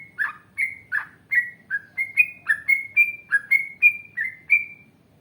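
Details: Yellow-vented bulbul singing steadily in a long rolling 'ropel panjang' style: around fourteen crisp, bubbly whistled notes in quick succession, some dipping, others slurring upward, fairly evenly spaced, over a faint low background rumble.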